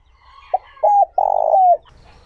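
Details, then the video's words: Clean single phrase from a spotted dove in the smooth 'trơn ròng' voice for luring wild doves. A quick note leads into a double note, then a long buzzy coo that slides downward. "Tiếng Chim Cu Gáy Kích Bổi Hiệu Quả | Giọng Trơn Ròng"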